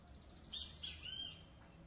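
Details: Great kiskadee uttering a quick series of three sharp, high whistled notes in rapid succession, with low hum in the background.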